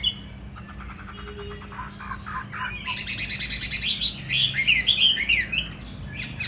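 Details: Caged fighting hwamei from Hà Nội, Vietnam: soft, scratchy chatter builds after three seconds into a loud, busy burst of buzzy and whistled notes, then drops away.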